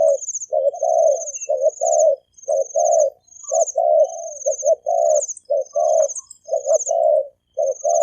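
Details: Thổ kim cooing from a male and female spotted dove, used to provoke wild doves. Quick low coos come about once a second, overlaid by continuous high thin trilling.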